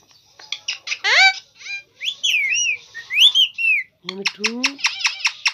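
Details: Indian ringneck parakeet, a green talking parrot, in a burst of varied sounds: rapid clicks, rising and falling whistled swoops, warbling mimicry, then a run of sharp repeated chirps.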